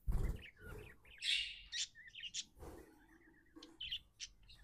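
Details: A happy budgerigar chirps in short, uneven bursts of high twittering and warbled notes, with a few low thuds and soft rustling between the calls.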